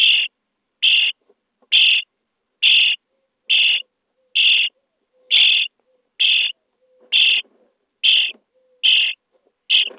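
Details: Nestling common starlings in a nest box, day 23, being fed, beg with a steady, evenly spaced harsh screech almost every second, twelve in a row, over a faint low hum.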